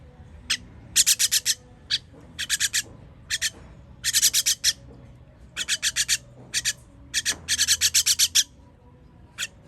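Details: Nestlings begging at feeding time, 21.06.23: rapid runs of scratchy, broadband rasps, four to six per burst, repeating almost continuously over a faint low hum.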